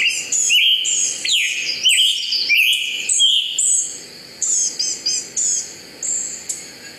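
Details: Scarlet Tanager singing, likened to a robin with a sore throat: a quick run of hoarse, burry phrases, about five in three seconds, followed by softer, higher notes.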